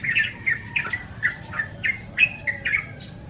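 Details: Yellow-vented bulbul, called trucukan, terucuk or cerocokan in Javanese and cucak or cerukcuk in Sundanese. It gives a quick series of about ten short, bubbly, slurred notes, each roughly a third of a second apart, over a low steady background rumble.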